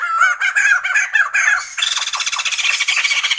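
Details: Sumatran laughingthrush: a short run of loud, wavering squeaky notes, then a thicker, rapidly pulsing chatter that sounds like harsh cackling laughter.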